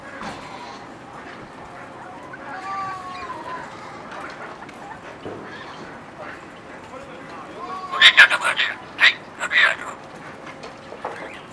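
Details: A talking sulphur-crested cockatoo at dusk beside the Harborland Ferris wheel, September 2015, gives a rapid cluster of harsh, raucous screeches late on, after quieter murmuring voices and a steady background hum.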